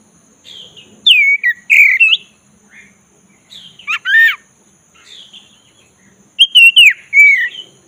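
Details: Black-breasted Oriental magpie-robin coaxed to sing: sweeping whistles and chirps, a rasping grating note in the middle, and a closing cluster of quick warbled phrases over a faint low hum.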